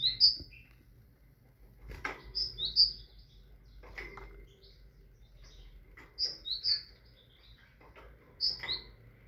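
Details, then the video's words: Sparse tit song: short pairs of high, clear whistled notes spaced about two seconds apart, four groups in all, with faint clicks and rustles between them. "تغريد طائر الحداد(القرقف)"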